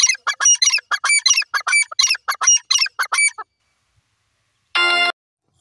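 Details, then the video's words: Kept francolin (teetar) calling: a rapid series of loud, harsh, ringing notes repeated for about three and a half seconds, then silence and a short, buzzy electronic-sounding burst near the end. "my teetar birds ki beautifull voice"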